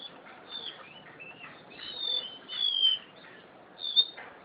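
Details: Crested honeyeater kept as a cage bird in Java, uttering soft high whistles and a few short chirps, building to two clearer falling whistled notes.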